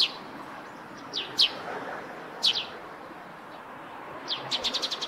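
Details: Eurasian tree sparrow near its roof nest, chirping in scattered single and paired notes, then ending with a rapid run of five or six quick chirps, over a light background hiss.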